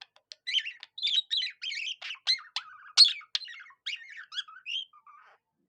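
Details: Budgerigar kept as a pet, imitating a cockatiel with a continuous stream of buzzy warbles, scratchy squawks and short whistled notes, fading out at the end.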